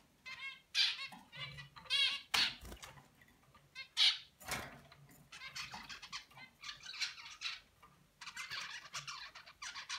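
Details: Young zebra finch learning to sing like its dad: clear stacked, nasal notes in short rattling runs, then long stretches of harsh broadband buzzing, delivered unevenly with pauses and a few loud sharp clicks.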